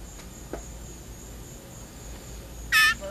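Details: Hand-fed blue jay giving one harsh, rasping shriek when hungry near the end, after a faint click and quiet room hiss; it is in its seventh day of being fed tiny portions of ground beef.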